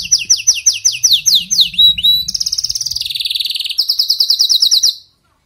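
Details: Canary singing, meant for a bird that sings poorly: quick descending whistled notes, then a dense rattling trill and a higher rapid roll, all tightly repeated, ending abruptly in silence after about five seconds.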